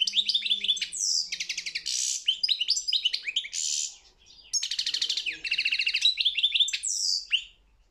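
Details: Goldfinch song from a singing competition, dense bursts of sharp twitters and metallic rattling trills with upward-sweeping notes, broken by a short pause before another rattling sequence.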